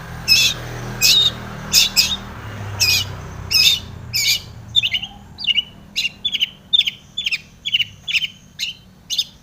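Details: Long-tailed shrike lure song for provoking other shrikes to sing: first a run of loud, harsh, grating notes, then a steady string of short twangy chirps roughly every half second.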